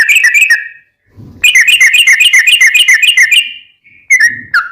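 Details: Yellow-vented bulbul in rapid ropel song for caged-bird training: a quick trill, a soft low note, then a long fast rattling run of bubbly whistles ending in a few slurred notes.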